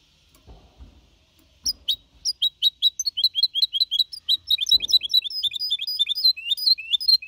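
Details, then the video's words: Goldfinch hybrid (mixto), a young bird of four and a half months, singing clean in the Malaga copy style in 2021, song meant to motivate other birds; after quiet low thumps, rapid high twittering notes begin and speed into a continuous chattering run. "Mixto de Jilguero Cantando Limpio (Copia Malaga) 2021 🎶 Tiene 4 meses y medio Para motivar pájaros"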